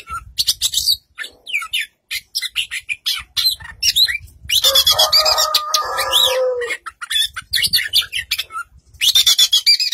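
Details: Oriental magpie-robin singing loudly, a dense, varied outpouring of sharp whistles, chatter and rapid high notes, with a harsher, lower scratchy passage midway before the bright notes return.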